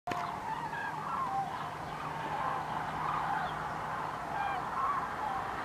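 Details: Cranes flying over in February 2019, a sky full of birds giving a dense, continuous chorus of overlapping trumpeting, rolling calls, with a few higher notes rising above the mass throughout.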